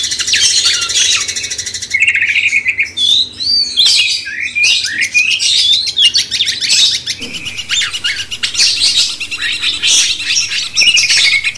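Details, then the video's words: Long cucak cungkok bulbul master phrase aimed at a magpie-robin, busy tumbling whistles and chattering notes in bursts, loud and varied, with a constant high noisy wash underneath. "Masteran cucak cungkok bangkitkan emosi kacer"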